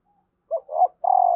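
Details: Female spotted dove call meant to stir lazy males to coo: a faint breath, then a short low coo, a rougher swelling coo and a sustained, slightly wavering coo, close and clear.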